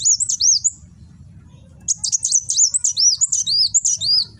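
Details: Caged Van Hasselt's sunbird (kolibri wulung) in Gresik, East Java, singing in the loud 'nembak' style used as a model for cage birds, recorded on an Infinix phone: thin, very high, squeaky looping notes in a short burst, a pause, then a longer rapid run.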